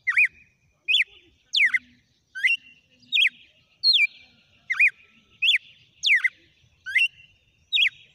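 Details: Song sequence from a red-cowled cardinal: a steady series of about eleven sharp whistled notes, alternating rising and falling slurs, delivered every 0.7 seconds over a near-silent background.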